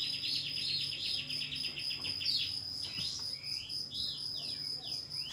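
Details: Pied fantail calling a rival as a lure to provoke tail spreading: a fast rattling train of high squeaky notes, roughly four each second, followed by looping whistled phrases. A steady high insect drone runs throughout.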